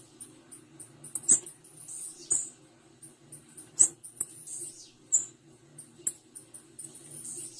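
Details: High thin call notes of a female blue-black grassquit, repeated unevenly with brief buzzy slurs between them, interrupted by sharp clicking knocks and backed by a low continuous hum.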